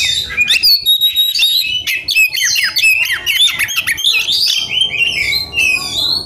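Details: Heated Oriental magpie-robin seeking a rival, giving a very fast, dense stream of short whistled upslurs and chips that descend in pitch, ending in clearer drawn-out whistles.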